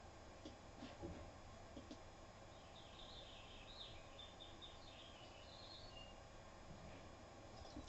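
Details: Cassin's finch song recorded on a phone as a microphone test: a faint, rapid, bubbling warble of varied high notes lasting about four seconds, over a steady low hum and room noise.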